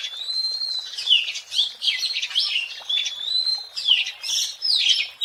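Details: Song of a wild Oriental magpie-robin, played to lure birds: drawn-out level whistles alternate with bursts of rapid, harsh, chattering notes, the pattern repeating twice.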